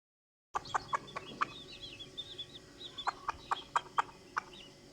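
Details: Domestic hen calling to her chicks: short, low clucks repeated at uneven intervals of about half a second. Thin, high, curving peeps from the chicks sound between the clucks.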